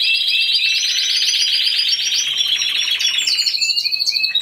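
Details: A single Timbrado Español canary singing during judging in the C2 individual category on 26-11-2015. Dense pulsed trills are delivered loudly for over three seconds, then a change to higher, clipped metallic notes.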